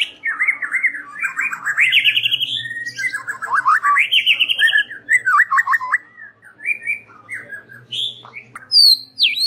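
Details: White-rumped shama lure song for the evening: loud, rich, fast run of varied whistled and trilled phrases, sliding up and down, with chattering notes and a few high sharp whistles at the end.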